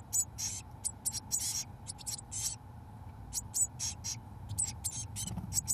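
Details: Nest box full of 17-day-old Eurasian blue tit chicks receiving mealworms from both parents; repeated shrill, sibilant begging bursts, each a fraction of a second, coming in irregular clusters over a faint constant hum.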